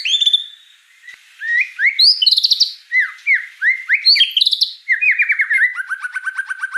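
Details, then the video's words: White-rumped shama in full, lively song: a varied run of clear whistled phrases, down-slurred and rising notes, fast trilled bursts and rapid repeated chips, with short pauses between segments. "Suara kicau burung murai batu gacor"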